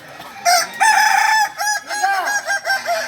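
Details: Kukuak Balenggek rooster, a singing chicken from Solok, in crowing training; a loud crow of about eight quick arched syllables stepping down in a stuttering series.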